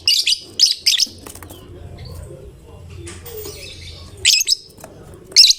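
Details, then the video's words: A gacor lovebird of fighter type, its song provoking other lovebirds to join in: a rapid run of three shrill high chirps, then a quiet stretch, then more piercing bursts near the end. "Lovebird GACOR Fighternya Memancing LB manapun Ikut Bunyi"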